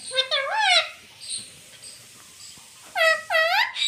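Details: Indoor pet rose-ringed parakeet that talks, saying words like mummy, papa and mitthu: two swooping harmonic calls at the start, a quiet stretch with faint hiss, then two more similar dipping-and-rising calls.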